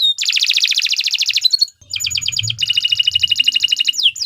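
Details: Canary in extended 'gacor panjang' song meant for tutoring other birds: a long, very rapid buzzy trill, a brief pause, then further fast pulsed trills ending on a high downward sweep. A soft low murmur in the background.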